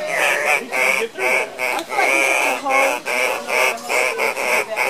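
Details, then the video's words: Cock-of-the-rock males at a lek give harsh, nasal squawks, about two or three a second, overlapping one another in a loud, quacking chorus. "Cock-of-the-rock lek"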